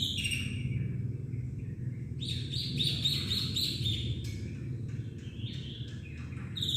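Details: Black-winged myna delivering a varied song of buzzy chatter, sharp clicks and short whistled notes in quick uneven sequence, over steady low background rumble.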